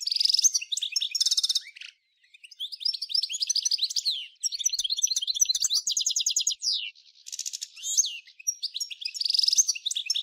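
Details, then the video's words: European goldfinch singing the 'nature' style of song, linked to Ain Dalia dam, Djnane Bouecha and Firmet Djoudi, Souk Ahras (Taghast), Algeria, 1995: rapid high twittering bursts with buzzy trills and tinkling notes, broken by short pauses. "Nature chardonneret"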